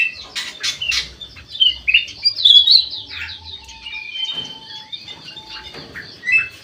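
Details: Ruby-throated bulbul (kutilang emas, white-eyed form) singing actively in an aviary: bright whistled and chirping phrases rising and falling, with a steady chorus of high buzzy chirps from other birds and a soft low hum behind.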